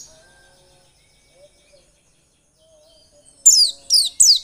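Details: White-eye song for coaxing singing: near silence with faint soft notes, then three loud high downward-swept chirps at the end.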